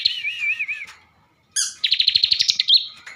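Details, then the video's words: A captive bar-winged prinia from Tegal, Central Java, sings a warbling, wavy whistled phrase, pauses briefly, then launches into a loud, rapid, rattling trill of evenly spaced notes. "ciblek gacor isian mewah"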